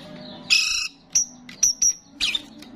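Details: Vigorous, lively singing of a starling, used to attract starlings: harsh, buzzy bursts alternating with short high, thin whistled notes in quick irregular succession.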